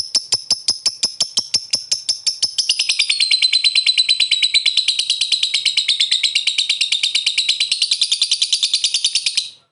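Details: Lovebird ngekek chattering played as a lure to get an answer: clipped shrill clicks at a quick regular pace, swelling into a long, continuous, harsh, trilling chatter that runs for about seven seconds.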